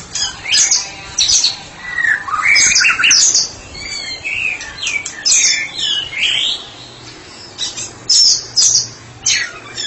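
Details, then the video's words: Ngeplong song from a white-rumped shama kept as a tutor bird for training others: bursts of rich whistled and chattering phrases, some slurred downward, some sharp and high, separated by short gaps over about ten seconds. "Murai batu spesialis terapi sedang ngeplong"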